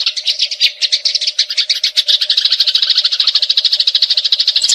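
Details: Eurasian tree sparrow chattering in a fight, a tutor recording for magpie robins. Uneven scratchy chirps settle into a quick, regular high stream, accompanied by a constant faint hum.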